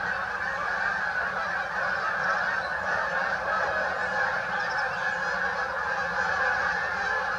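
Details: Continuous overlapping honks from a Canada goose flock gathered at St Anne's Lagoon, forming an even wall of goose noise.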